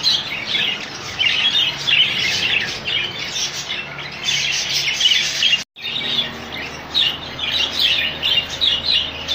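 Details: Rainbow budgies kept in a colony: continuous busy warbling and chirping from many birds at once, high and scratchy, with a brief gap midway and a steady low hum underneath.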